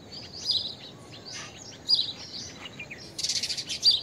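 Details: Blue-tailed bee-eater calling with scattered high chirps and short trills, followed by a loud rapid buzzy pulsing burst near the end, over steady hiss.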